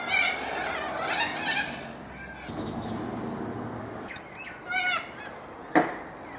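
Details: Little corellas outside an apartment door in suburban Melbourne, Australia, 2 April 2014, give harsh, grating screeches in short bursts, two near the start and a pair later, over a low murmur and a sharp knock near the end.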